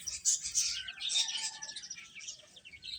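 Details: Baby chickens chirping during a meal; rapid, thin high peeps and small descending chirps follow one another closely, several birds calling at once.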